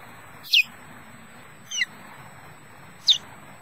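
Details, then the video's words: Male osprey at Loch Garten, Scotland, guarding his mate and nest, utters three brief, sharp, downslurred chirps over a low rumbling background. "Odin defends EJ and nest with sweet chirps"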